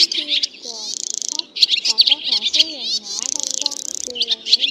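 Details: Swallows, white-bellied swallows calling the flock in to roost, in a recording used as a net-trapping lure: a dense, continuous chatter of high chirps and buzzy rattling trills, with lower whistled and sliding notes woven underneath.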